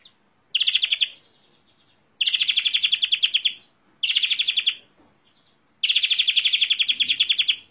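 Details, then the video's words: European greenfinch delivering four rapid pulsed trills, each roughly half a second to one and a half seconds long, separated by short gaps and thin soft twitters, recorded close indoors. "Greenfinch Song"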